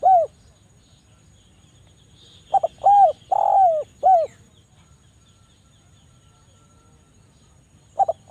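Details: Javan turtle dove giving a dense, sharp call meant as a lure for doves reluctant to sing: short stuttered note followed by three mellow arching coos, one drawn out, repeated after a long pause; a thin continuous high tone behind.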